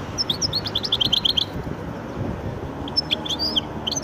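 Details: Hybrid of goldfinch and canary producing a quick series of high chirping notes for about a second, a short lull, then scattered sharp chirps and a few rising slurred notes.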